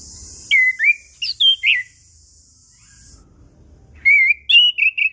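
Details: Chestnut-capped thrush, 'ngeplong' lure song for quiet birds: two groups of clear slurred whistles separated by a silent stretch with steady hiss, each group of three to four notes.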